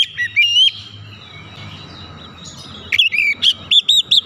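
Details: Song of an Oriental magpie-robin, meant to stimulate silent or stressed birds to sing: a short whistled opening, a long quiet stretch with low background hum, then a quick string of looping, wavering whistles.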